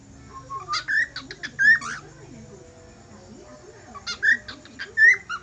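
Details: Whistling budgerigar giving two separate bursts of song, each a cluster of short clicks and chirps followed by bright upward-sliding whistles, with a quiet gap of about two seconds between the bursts.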